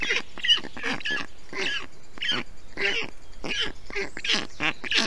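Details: Black stork chicks in a nest in Estonia on 20 June 2021, in heat, calling as a parent brings water, moss and wet grass to cool them; harsh, raspy broadband calls repeated in irregular bursts, roughly one or two per second.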